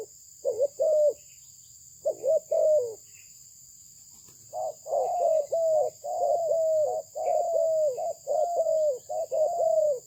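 Spotted dove cooing in soft, low phrases of rising-then-level notes, in groups of two or three, with a steady faint insect hiss behind.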